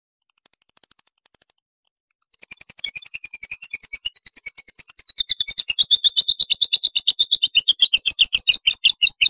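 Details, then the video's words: Shrill lovebird ngekek and ngetik chatter used as a lure for other lovebirds, starting with soft ticking notes, a brief gap, then a long, rapidly repeated run of harsh high chirps that grows louder. "SUARA LOVEBIRD NGEKEK NGETIK BUAT PANCINGAN"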